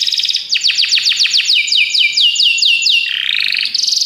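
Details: Belgian canary delivering a loud series of sharply descending high notes, about four per second, followed by a lower warbled note and a high buzzy trill.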